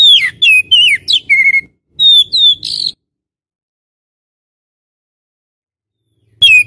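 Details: Lure sound of an Oriental magpie-robin, used to attract wild magpie-robins: bright downslurred whistles and clipped chirps in two short runs, a long silence, then one more whistle, over a soft low hum.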